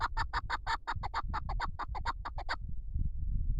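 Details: Chukar partridge calling: a fast run of harsh, broad chuck notes, about six a second for two and a half seconds, then stopping, over low rumbling background noise.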